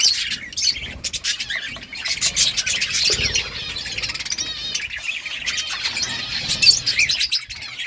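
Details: Flock of breeding budgerigars giving continuous high warbling chatter, rapid trilled chirps and raspy notes throughout.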